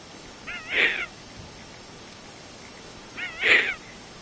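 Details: Young captive tawny frogmouth, the youngest bird at a wildlife refuge, calling for its food: two wavering, harmonic, nasal cries about two and a half seconds apart, each swelling then fading, over a steady background hiss.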